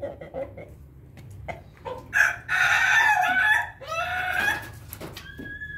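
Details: Bangkok chicken crowing after drinking. A few soft clucks come first, then a loud, harsh, drawn-out crow in two bursts lasting about two and a half seconds. A thin, steady whistle-like tone follows.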